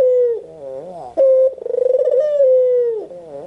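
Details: Soft wavering notes from a white Barbary dove lead to a sharp short tone. Then comes a pulsing rolled coo that stretches into a long, gently descending hoot.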